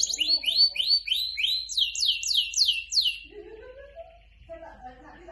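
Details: Canary song intended to set other canaries singing: a series of about ten sweeping descending whistles repeated steadily, then quieter scattered lower notes.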